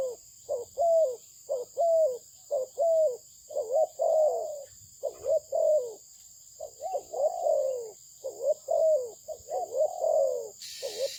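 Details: Spotted dove of a good Malaysian breed delivering a long run of mellow coos, quick doubled notes and longer drawn falling coos in uneven groups, with a steady high whine and a brief noisy burst at the very end.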